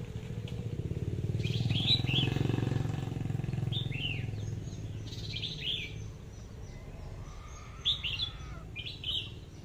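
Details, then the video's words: Red-whiskered bulbul kept caged as a decoy delivers short descending whistled notes in small bursts, partly masked by a loud passing vehicle rumble early on, clearer toward the end. "tiếng hót chim chào mào mồi/sâu đầu đỏ cọp giọng AK"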